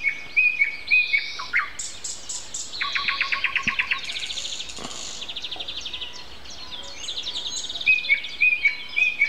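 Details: Common nightingale in a dawn chorus at 7:55 on Sunday, April 29: pure whistled notes, then a long rattling series of evenly repeated pulses, varied warbled phrases and more whistles, with other birdsong mixed in.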